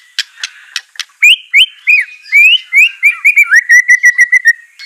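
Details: White-rumped shama (murai batu) song used to coax a reluctant bird into singing. A few sharp clicking notes open, then a run of loud slurred whistles, ending in quick, evenly repeated short notes.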